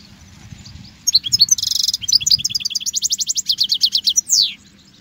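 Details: European goldfinch song meant for teaching young goldfinches: a lively run of high twittering notes, a buzzy burst, then a rapid even series of tinkling trilled notes ending with a downslurred whistle.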